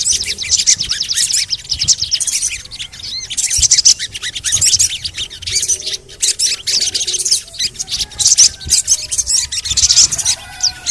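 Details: ['Sogon (ruby-cheeked sunbird) audio used to make other sogon sing: steady stream of rapid, shrill high-pitched chirps and trills in repeated bursts, with faint lower notes beneath.']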